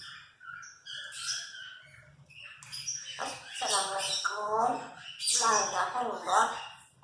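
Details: Pet female Congo African grey parrot, four years old, talking: a run of speech-like syllables with rich voiced tones, growing louder in bursts toward the end, preceded by a few higher squeaky notes.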